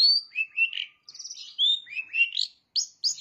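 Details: Long-tailed shrike song filled with bar-winged prinia imitation, a varied string of high whistled slurs, buzzy trills and rising sweeps with brief gaps between phrases.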